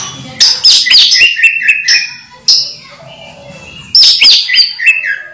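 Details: Moulting caged orange-headed thrush still in full song: energetic bursts of high, rapid, tumbling notes that drop into clear whistled phrases, repeated twice with a quieter pause between.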